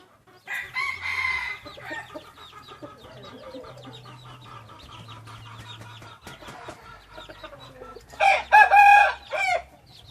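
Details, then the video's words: Hybrid red junglefowl rooster: a short, softer crow near the start, steady low clucking and chirping with a faint hum, then a loud, coarse crow near the end. "Qaib qus txuam zoo nraug thiab qua tau zoo tshaj plaws ไก่ป่าลูกผสมเสียงขันดีมากๆ เสียงขันอมตะ"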